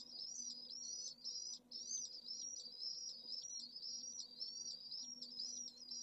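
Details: Only chick in a Pallid Swift nest, Jerez de la Frontera heat island, noon on 25 August with temperatures over 44ºC; high, rippling squeaky notes repeat steadily, briefly pausing once, over a low hum.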